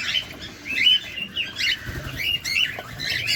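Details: Feeding cockatiel heard at close range with a handful of scratchy chirps and short whistled notes, irregularly spaced, slightly harsh in places.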